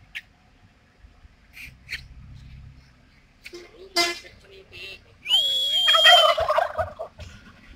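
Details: Male turkey mating display toward females: soft scattered sounds and a brief honk-like note, then a sustained gobble with a high whistled line over a bubbling, rapid rattle lasting nearly two seconds.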